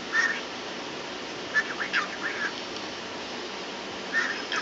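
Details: A pet bird, once scared of feathers, "talks" and sings to a chicken feather held up to it, and it only does this to feathers. It gives three short bursts of soft whistled chatter around 2 kHz over a few seconds, against a steady hiss.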